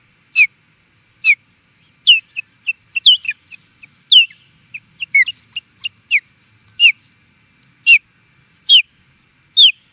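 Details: Osprey in Charlo, Montana, USA, calling in reaction to an intruder: scattered high, sharp whistled notes that slur downward, given singly and in small irregular clusters over ten seconds against a quiet background.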